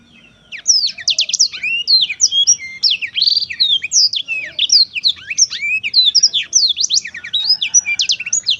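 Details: Black-throated canary starting after a brief quiet, then singing a long continuous cascade of fast high chirps, sharp slurs and short trills.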